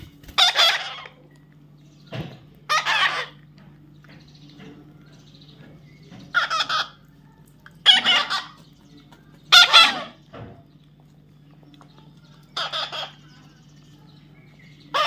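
A young parrot gives harsh, raspy squawks in short bursts, repeated every two to three seconds.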